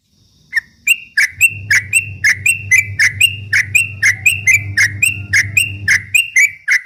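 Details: Rapid ropel song of a straw-headed bulbul, for baiting rival birds: steady repeated bright notes, each with a clicky start and a falling tail, above a persistent low mechanical hum.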